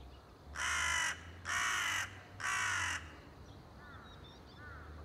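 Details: Crow recorded on 30 September 2020, giving three loud, harsh, drawn-out caws about a second apart, then quieter, fainter rising calls in the background.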